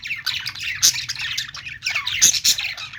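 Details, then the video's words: Rapid budgerigar chirping: a nearly continuous stream of warbled, squeaky notes and harsh squawks, briefly thinning midway before a fresh flurry of sharp chirps. "Budgies sounds | parakeet chirping sounds"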